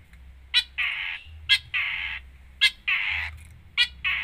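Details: Long-tailed shrike giving 'gacor full isian' sounds: a sharp high note followed by a rasping, buzzy screech, the pair repeated four times, roughly once a second.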